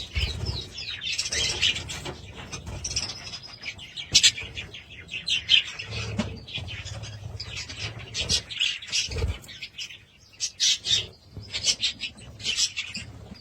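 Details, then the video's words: Budgerigars with intermittent bursts of high scratchy chirping and warbling, quieter stretches between, and low rumbling background noise. "Budgies sound"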